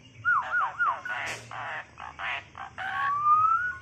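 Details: Tame, talkative Asian pied starling: a wavering, up-and-down whistle, then raspy speech-like syllables, ending in a long, clear, slowly rising whistle.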